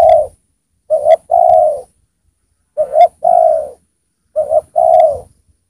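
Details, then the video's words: Spotted dove (tekukur), a lure bird drawing in wild doves, coos a short double note then a longer mellow, slightly falling coo, the phrase repeated three times about every two seconds; finding: spotted dove. "Pikat Tekukur Gacor di Turunin Tekukur Liar"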